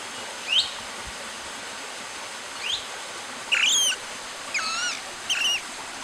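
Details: Long-tailed broadbill giving shrill, sharply slurred whistles, first single notes then quicker paired and stacked notes over about six seconds, against a soft steady hiss.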